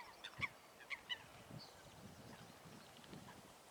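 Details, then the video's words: Fighting Eurasian coots giving three sharp, honking calls within the first second, followed by a quiet stretch of soft water rustling. "Łyski walka łysek"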